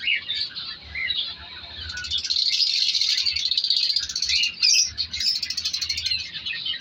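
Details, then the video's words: African lovebirds of several colour varieties in a breeding colony in an aviary during winter, their second breeding round, with chicks present; dense, overlapping high shrill chirps and twitters form a continuous chorus, briefly rising louder in the middle. "Breeding Progress Colour Love birds |African love birds colony Update"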